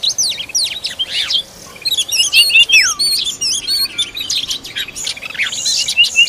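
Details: Oriental magpie-robin feeding its young, giving bright whistled notes, sharp downward slurs and quick chirps in scattered bursts, with a steady hiss of other high chirping birds behind.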